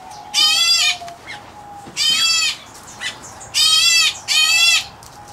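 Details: White-headed black bulbul chick, an Indian-area subspecies, in an aviary: four harsh grating rasps, each about half a second long, two given close together near the end, with a faint steady tone underneath.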